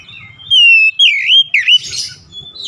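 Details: Oriental magpie-robin song, meant to prompt a silent, off-form bird into full song: a few clear whistled phrases, one long level whistle followed by curving swoops, then a buzzy burst.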